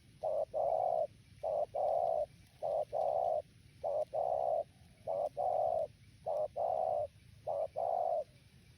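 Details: Spotted dove giving a repeated cooing song, seven phrases in quick succession, each a brief low note followed by a longer sustained coo, repeated roughly every second with no other clear sounds.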